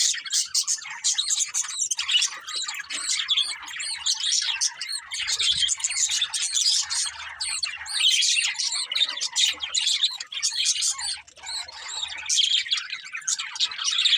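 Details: Budgerigar flock chatter runs without a break, a thick layer of high scratchy warbling and twittering from many birds that only dips briefly near eleven seconds.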